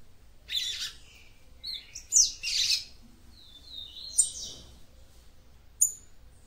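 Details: Female yellow-bellied seedeater singing to stimulate a male: bursts of high, thin chirps and short buzzy trills, with a slurred high whistle and a quiet gap before a final sharp note.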